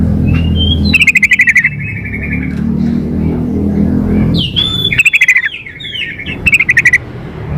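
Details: Sooty-headed bulbul female calling for the male, with rapid rattling bursts of sharp notes alternating with drawn-out slurred whistles, over a steady low hum.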